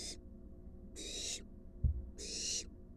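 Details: At a wild barn owl nest box where an adult delivers a large rat to its fledgling, three rasping hiss bursts sound, each about half a second long, with a dull thump between the second and third.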